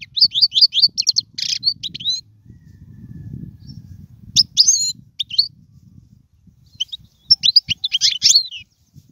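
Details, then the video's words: Tutoring song of a European goldfinch for young birds: a quick chain of sharp twittering notes, a long quiet gap with a soft low murmur, then further short bursts of bright, chattering twitters. "اسمع المقنين واعطي رايك فيه,افضل تغريد لتعليم الفراخ"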